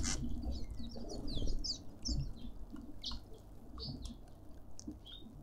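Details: Several cut-throat finches squabbling over food at a suburban garden feeder in Pretoria, South Africa, give short, high chirps and squeaks in quick, irregular bursts over a low rumble of scuffling and background noise.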